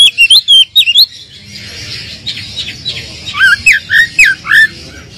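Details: Lure song of the Oriental magpie-robin for a bird lacking spirit: quick wavering whistles open, then a pause, then a series of rising, upslurred whistled notes, with steady low background noise.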